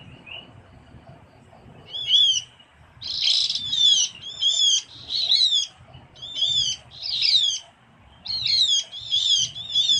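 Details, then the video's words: Java lure recording of the Javan grey-throated white-eye: after a faint opening note, about eight brisk chattering bursts of high whistled slurs, roughly one every second, with a steady low hum beneath. "suara pikat opior Jawa/cucak gentong/pion/kiongan"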